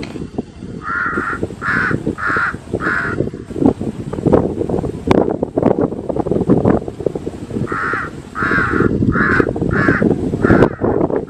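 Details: Crow cawing in two bouts: four rapid harsh caws at the start, then a pause filled with low background rumble, followed by five more evenly spaced raspy caws near the end.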